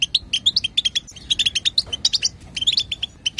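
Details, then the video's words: European goldfinch, female, chattering to stimulate the male's song: bright, clipped chirps in rapid rows, some rising notes, steady pace throughout. "بتبتة حسون وطنطنة تجعل الحسون يغرد"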